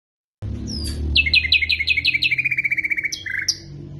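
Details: Common nightingale song, used as a tutoring phrase for canaries: a high falling whistle, then a fast run of sharp repeated notes that shifts into a lower rattling series before a final bright note. A low hum sits underneath.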